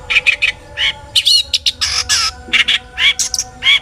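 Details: Long-tailed shrike in full, varied song, used to provoke other shrikes into singing: harsh broadband rasping bursts mixed with short squeaky whistled notes, delivered in quick irregular bursts, with a faint steady low hum behind.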